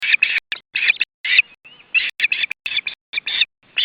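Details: Osprey at its nest in July 2012 as fish is brought in for supper: loud, shrill chirping calls in short bursts, repeated in quick runs separated by brief pauses.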